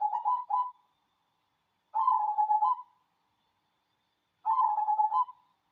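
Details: Manggung song of a local cemani zebra dove: a stuttered double note, then two long, trilling, burry coo phrases spaced a little over two seconds apart.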